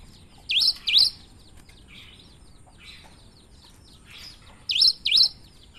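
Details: Cinereous tit in full song with an unusual voice: a sharp two-note phrase, each note swooping down then up, given twice in quick succession, then repeated about four seconds later over faint background chatter of other small birds.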